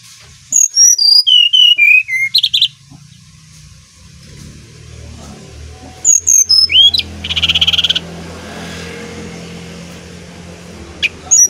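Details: Brown-chested jungle flycatcher, Bali bird, singing as a lure for other birds: a run of clear whistles stepping downward, then after a pause sharp chirps and a buzzy burst, with low background hum.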